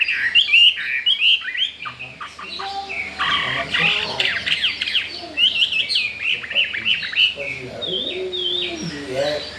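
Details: Newly arrived captive Chinese hwamei, eager to breed, pours out a dense, rapid run of bright whistled and trilled notes with quick pitch leaps. Lower warbling notes weave beneath near the end.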